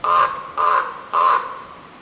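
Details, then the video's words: A raven gives three harsh, hoarse caws, each about a third of a second long and roughly half a second apart, with nothing else heard. "Raven Free Sound effect"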